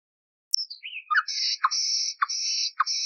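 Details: An old, cleaned-up recording of a common nightingale singing, for teaching canaries: a sharp click, a falling whistle, a low upslurred note, then long buzzy high tones divided by short low dropping notes.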